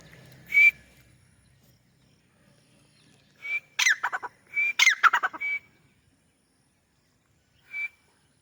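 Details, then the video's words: Grey francolin (white teetar) calling while perched on a wall in Pakistan. A lone shrill whistled note is followed after a pause by a burst of harsh, rapid stacked notes mixed with short level whistles, then a final whistle. "White teetar voice | teetar making a sound on the wall"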